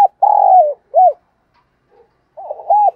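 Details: A caged decoy spotted dove calls at dawn hours with a long, slightly falling coo, then a short arched note, a pause, and the start of another cooing phrase.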